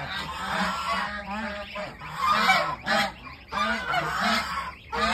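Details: Many goose chicks, kept for sale, call in a continuous crowded chorus of raspy, overlapping honks and chirps, broken only by a few short pauses, over a constant low hum.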